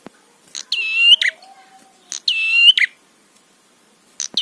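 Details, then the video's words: Provoking song of a prinia meant to trigger rivals: two loud nasal buzzes, each bracketed by a click and a grating tail, followed by the start of a third, with a soft low hum between them. "Masteran Suara Trapi Prenjak PANCINGAN EMOSI BIKIN BUNYI"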